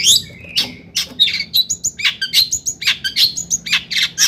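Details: Long-tailed shrike singing, used to provoke other shrikes: a rapid, scratchy series of high harsh notes and chirps, roughly seventy per minute, in a small room.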